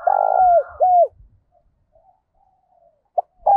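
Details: In the morning a decoy spotted dove calls in wild doves. The end of a phrase gives a rough coo and a falling note. After a soft pause with low knocks, the next phrase opens with a short note.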